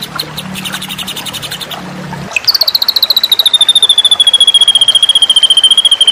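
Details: Masteran recording of white-rumped shama song for tutoring contest birds. Rapid pulsed notes over a low hum, then a sharp switch to a long, loud, evenly pulsed trill that glides gradually downward.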